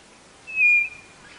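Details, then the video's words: A single White-bellied nothura whistle: clear, high and level, held for under half a second, then fading, against faint background hiss. "CANTO DA CODORNA DO NORDESTE"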